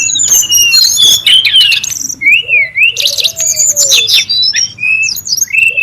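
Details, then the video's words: Noisy brown-chested jungle flycatcher in the wild: a dense burst of high chirps, then clear upslurred whistles repeated about each second, with a lower drawn-out falling whistle underneath. "SUARA PIKAT DAN MASTERAN BURUNG SRDC(sikatan rimba dada coklat) RIBUT DI ALAM LIAR"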